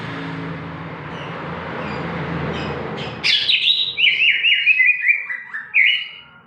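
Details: Greater green leafbird singing, used to provoke young captive birds into song; after three seconds of low rumbling background noise, a fast run of sharp, zigzagging whistled notes with rapid up-and-down slurs.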